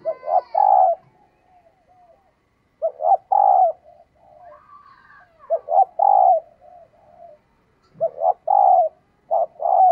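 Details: Female dove calling to excite males: low, throaty cooing phrases of a few short pulses ending in a drawn-out note, repeated roughly every three seconds, with faint higher chirps between phrases and otherwise quiet surroundings.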